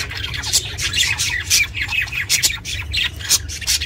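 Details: Pet budgie recorded for budgies kept on their own, giving quick, scratchy chirps and squawks in bursts about every quarter second, bright and high, with faint low hum underneath.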